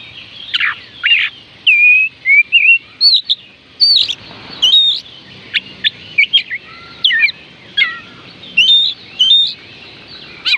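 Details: Varied whistled singing of an Oriental magpie-robin, meant to prompt unwilling kacer birds to sing: rapid sequence of sweet slurred notes, rising and falling chirps and short phrases, repeated about once a second with short gaps.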